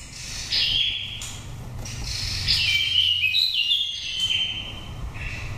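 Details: Nest-taken oriental magpie-robin from Dak Lak, Vietnam, five seasons old, singing in a pure wild voice used for luring or stimulating birds. Dense, continuous whistling and chirping with shifting pitches fills most of the recording over low rumble.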